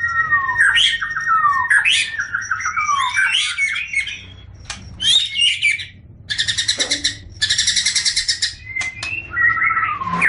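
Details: Green leafbird, a master-song recording meant to teach young birds to sing: loud, varied song of whistled notes sliding down and up, bursts of rapid harsh chattering, and buzzy trills, with brief pauses between phrases.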